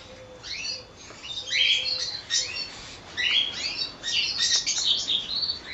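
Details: A colony of cockatiels calling together: overlapping high chirps and short rising whistled upsweeps in uneven bursts, with a faint steady low tone in the background.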